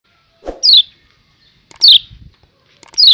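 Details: Lombok yellow white-eye, kecial kuning, in a 'ciak ciak' call meant to steady breeding condition: three short, sharp descending chirps spaced about a second apart, with a brief low knock before the first.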